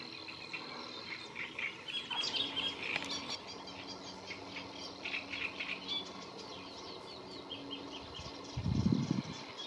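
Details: Great reed warbler singing at the Lagunas de La Guardia, Toledo, on 30 April 2022: bursts of harsh, repeated chattering notes in short phrases, pausing between them, with a low thump near the end and a busy wetland background.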